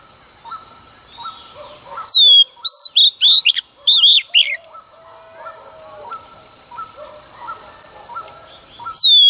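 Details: In early morning, a female Oriental magpie-robin sings to stir males into song. She gives a tight run of sharp whistled and buzzy notes, then a long quiet stretch of soft repeated chirps from other birds, then another whistle.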